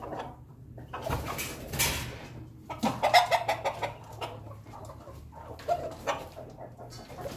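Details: Melodious crow of an Ayam Ketawa chicken: a burst of rapid, choppy notes in a stuttering laugh-like series, with a few more short notes later and noisy background thumps.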